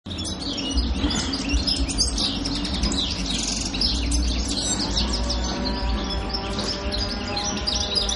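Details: European goldfinch on Pantelleria island, recorded 02/01/2011, singing a dense, fast twittering stream of high chirps and trills, partly over a steady low rumble and faint humming tones.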